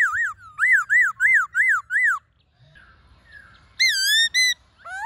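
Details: Forest song of a Black-throated laughingthrush, played to rouse birds into song: five loud rising-and-falling whistles about every 0.4 seconds, a soft gap, then two strong high whistles and a rising note.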